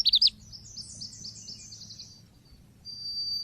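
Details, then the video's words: Oriental white-eye, a lure recording: a brief burst of thin, very high chirps, then a run of quick descending high notes that fades, and a final pair of steady high whistled tones. "MASTERAN PANCINGAN BURUNG PLECI"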